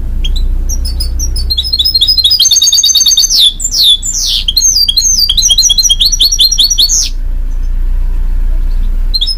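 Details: Goldfinch-canary mule singing fast twittering phrases with sweeping whistles and buzzy notes over a steady low hum throughout.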